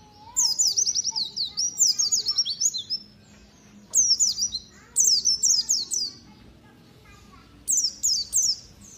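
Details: A white-eye, a prospect for singing contests, sings rapid, high, twittering phrases in bursts of two to three seconds, with short pauses between them.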